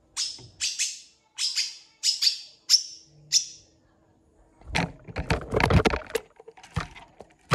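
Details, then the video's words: Long-tailed shrike with a full repertoire of mimicked phrases: a series of harsh, buzzy, descending notes in spaced pairs, then a scratchy, noisy burst of mixed chatter and clatter. "CENDET GACOR FULL ISIAN CEPAT DI RESPON PENTET LAIN"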